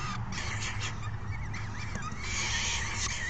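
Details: Falcon youngsters beg noisily during a feeding by a parent, June 2018. Rapid, overlapping rasps and wavering, warbled whines come in a dense clamour above a steady low rumble.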